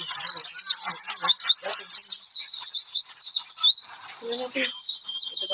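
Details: Lure song of an Oriental white-eye, meant to prompt other birds to sing: a dense, unbroken run of high, shrill warbling twitters with quick up-and-down notes, briefly dipping then resuming strongly.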